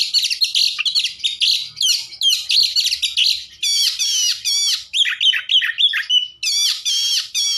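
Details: Lure song of an Oriental magpie-robin (kacer), said to be full of fills and used to stir other magpie-robins: continuous high chattering phrases, shifting partway into clear repeated downslurred whistles and brisk note sequences.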